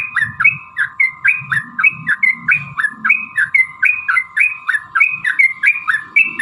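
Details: Sooty-headed bulbul repeating crisp slurred phrases at a brisk, even pace of roughly three per second, used to lure other bulbuls into song, with soft low murmuring and a steady faint whine behind.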